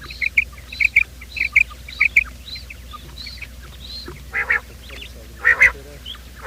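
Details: Morning quail call used as a trapping lure: bright clipped chirps, often doubled, paced about twice a second, then a few harsher buzzy notes near the end; faint low hum underneath.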